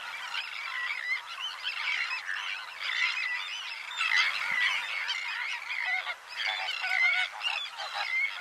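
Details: Recorded in May 2018 in the Camargue, France, White-winged terns give loud, continuous rasping calls. Many harsh notes overlap in an agitated chorus that carries on throughout the clip.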